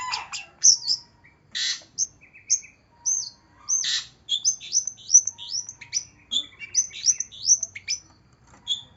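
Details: Long-tailed shrike (cendet) in a lure recording for a bird reluctant to sing: varied high whistles, upslurred and downslurred notes and short harsh bursts, delivered in quick, irregular phrases over a quiet background.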